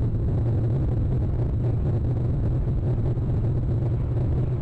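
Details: Continuous deep droning of a vehicle or engine fills the recording, with no birds or other animals heard.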